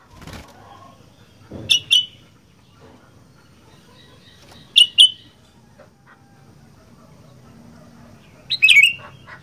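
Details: Sooty-headed bulbul, kutilang in the 'gacor fighter' style: three bursts of bright, sharp double chirps spaced a few seconds apart, the last one more slurred and falling, over quiet low background hum.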